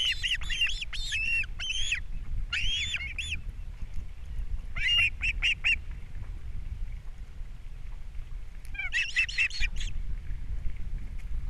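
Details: Ospreys at their Captiva nest on April 3, 2022 as fish arrives for breakfast and chicks are fed: repeated runs of high, whistled yelping chirps early on, a mid burst, then a final dense cluster, with steady low hum.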